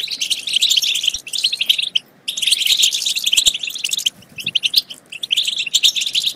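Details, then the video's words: Goldfinch singing, meant to rouse other goldfinches to sing and mate. Rapid tinkling twitters pour out in long runs, with a clear silent gap around two seconds and a softer stretch near four seconds. "بتبتات خرافية في تحفيز الحسون على التغريد"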